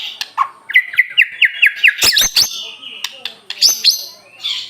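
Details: Aceh white-rumped shama in full song: a rhythmic string of about eight clear, slurred whistles at a steady pace, broken by sharp high clicks, then more piping, whistled notes.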